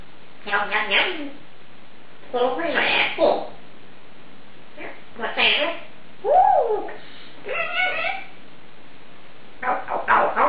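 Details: Clover, a female Congo African grey parrot with a vocabulary of over 350 words, talks in short, speech-like phrases with whistled and squawky inflections, spaced by brief pauses, in a quiet room.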